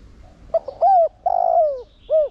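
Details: Close, loud spotted dove decoy in Thổ Đồng voice, calling to make other doves coo: stuttered lead-in notes, an arched coo, a long trilled coo gliding down, and a short final coo.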